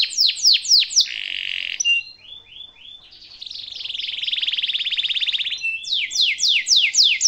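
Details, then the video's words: Canary master song for young canaries: loud down-sweeping notes, a buzzy rattle, soft falling whistles, a long fast rolling trill, then repeated sharp descending notes again. "kenari gacor ngerol panjang cengkok mewah suara kesukaan dan gampang di tiru sama kenari muda"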